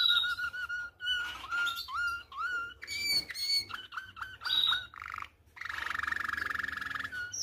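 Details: Malinois (Belgian) canary song, an error-free tutor recording for teaching canary chicks to sing: rolling, liquid tours of pure whistled notes, bubbling trills and a long sustained warble, in a clear mid-high range.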